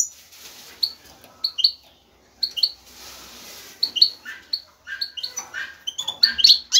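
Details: European goldfinch male in breeding mood calling to a female; repeated short high chirps in pairs over faint background hiss, turning into livelier twittering at the end.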